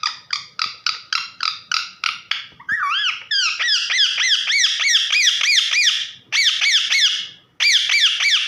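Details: Pet parrot calling its owner with a long fast series of harsh harmonic squawks, several each second, turning into rolling wavering notes that run almost continuously before short pauses.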